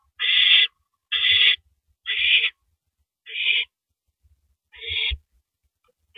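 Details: Owl feeding on a rabbit in the early hours of April 9, 2012, 3:33 AM; a run of five coarse, breathy screeches about a second apart, gradually a little softer, with light low bumps underneath.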